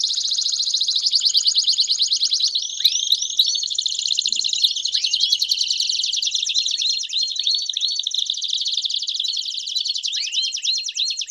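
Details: Several canaries singing at once to stimulate a Belgian canary: a long, unbroken wall of high trills and warbles, with scattered rising whistled sweeps layered over the chorus.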